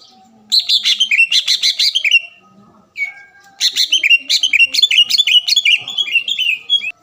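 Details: Green leafbird singing energetically to trigger a rival's song and agitation: two long bursts of fast, mixed chirps and slurred whistles separated by a short, steady whistled note.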